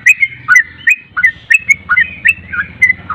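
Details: Javan pied starling singing quick whistled up-and-down notes about three per second over a persistent low buzzing hum.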